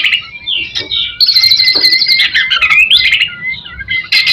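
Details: White-rumped shama song meant to spur other shamas, beginning with clear whistles, then a long high rattling trill over a steady whistled tone, ending in a rising slur and scattered clicks.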